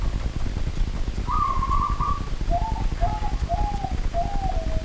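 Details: Zebra dove, a local wild bird, calling at night: one rapid purring trill followed by four short, slightly falling coo notes spaced about half a second apart, with continuous low rumbling behind.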